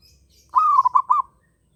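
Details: One short phrase from a local zebra dove in strong breeding condition: a rising coo running into three quick rippling notes, all within under a second, then silence.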